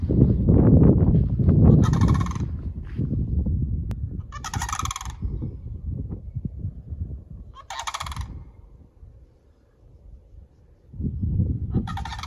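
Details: A Sandhill Crane family of two adults and two young colts in a recently burned area of Corkscrew Swamp Sanctuary's backcountry gives four loud, rolling, rattling bugles a few seconds apart over steady wind rumble.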